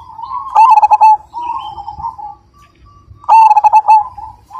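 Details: Zebra dove of the Majapahit perkutut line calling with a loud voice: two strong rolling coo phrases separated by softer sustained cooing and a short quiet gap.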